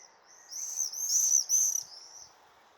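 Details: Flying swifts, just returned on 16 May 2023, give a loud shrill scream: a high, buzzy, wavering screech swelling and breaking into two bursts over about two seconds.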